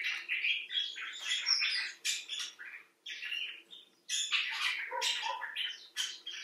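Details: Expressive talk of a common bulbul: continuous harsh, scratchy chattering in dense overlapping bursts, with two brief dips in level, from one of several birds, some cared for in a clinic for distressed birds.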